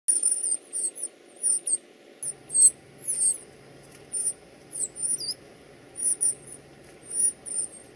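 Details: Northern cardinal at the nest, feeding its young: very high, thin squeaky notes in short bursts every half second to second, over a faint low hum; possibly nestlings calling.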